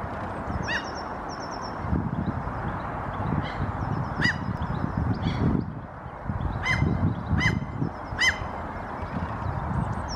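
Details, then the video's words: Common Gull (Larus canus) walking on the ground in Helsinki, Finland, April 2022, gives high, nasal mewing calls in short bursts, about seven over ten seconds, apparently calling its mate, which seems to answer from a distance; steady low wind or surf rumble. "Common Gull dialogue"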